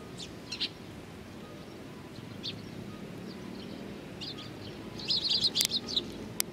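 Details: Eurasian tree sparrow youngsters, 19 June 2019: faint scattered high tweets, then a quick burst of bright chattering chirps toward the end over a low background rumble.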